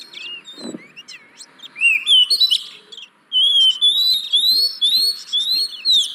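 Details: Lure song of an oriental magpie-robin, meant to prompt lazy caged birds into singing: a few scattered chirps and a brief low thud, then a long run of bright rising whistles and high twittering notes.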